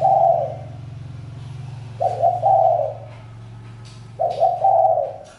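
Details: Three husky, mid-low coo phrases from a spotted dove about two seconds apart, over a steady low mechanical hum.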